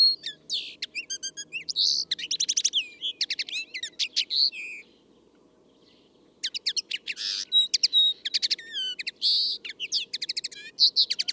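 A Common Linnet sings a fast, jangling run of twitters, buzzy trills and bright chirps, with a brief pause midway and a faint low hum behind.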